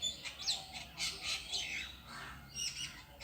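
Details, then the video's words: Perched alone on a tree, a bird utters harsh, high chirps and squeaky notes in short bursts roughly every half second. "The bird sitting alone on the tree is making a sound"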